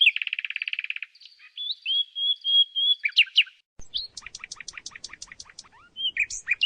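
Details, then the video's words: Song of the common nightingale (Luscinia megarhynchos): a fast rattling trill of about fifteen notes, then a long thin sustained whistle, followed by a sharp series of high clicking notes and short varied phrases. "Canto Do Rouxinol"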